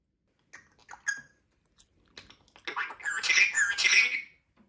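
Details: Pet brown-necked Cape parrot, a male, talking and copying water, chewing and phone-ringing sounds. Scattered soft chirps and clicks build into a loud, raspy, speech-like squawking phrase of over a second.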